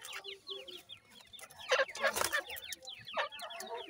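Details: Grey francolin parents with chicks; many small, high descending peeps tumble over one another in quick succession, broken by a louder mid-clip burst of harsher, broader notes.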